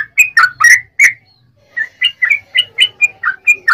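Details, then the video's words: Yellow-vented bulbul in full, long rapid song, used as a lure to make other bulbuls sing: a few loud bubbly whistled notes, a short pause, then a steady string of quick, liquid, up-and-down chirps. "trucukan ropel panjang TARUNG PANCINGAN TRUCUKAN agar bunyi"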